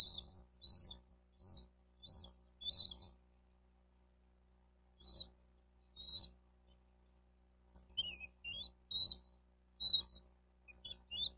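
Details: Bald eagle at a nest in Miami-Dade County, Florida, captured by nest cam on 4 June 2023 around 12:35: sparse groups of thin high chirps separated by long silent gaps, a few sliding downward notes later.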